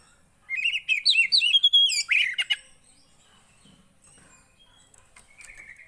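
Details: Javan white-eye song used to get a silent kept bird singing: a quick run of high, sweet twittering warbles with rising and falling slurred notes for about two seconds, then near silence with faint distant chirps.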